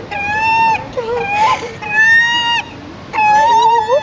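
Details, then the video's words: A gull squawking for food gives three long, whining squawks, each drawn out for most of a second and rising slightly at the end, with softer, lower calls in between. "Seagull Squawks"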